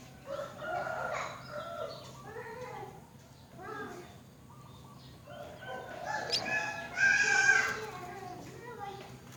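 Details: Myna young being fed by their mother at the nest: bursts of harsh, rasping harmonic calls repeated in quick clusters, rising to a louder, brighter squealing outburst near the end, with background hum.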